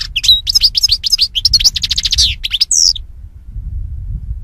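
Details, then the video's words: A European goldfinch sings a quick, tinkling run of high twittering notes and liquid trills for about three seconds, ending on a sharp rising note, over a faint low rumble. "Birds Singing - European Goldfinch"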